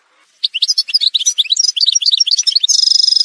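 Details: Algerian goldfinch, parva form, in a song montage: fast, varied twittering notes at about four per second, ending in a steady buzzy trill.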